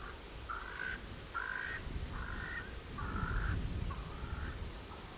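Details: Brown snake eagle at Olifants West Game Reserve, South Africa, giving five harsh, hoarse, croaking notes about once a second, with a deep rumble of wind or distant noise underneath.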